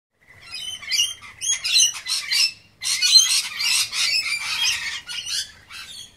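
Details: Wild lorikeets feeding on pear and apple chatter with harsh, rasping screeches and squawks, several overlapping in noisy bursts of high, grating calls with brief pauses between.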